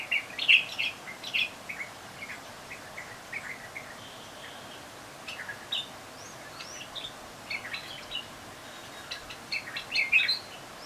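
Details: Several bulbuls on a balcony call in short, scattered chirps and tweets, some quick and sharp, others slurred, in loose bursts across the whole stretch with brief pauses between, over a faint steady hiss.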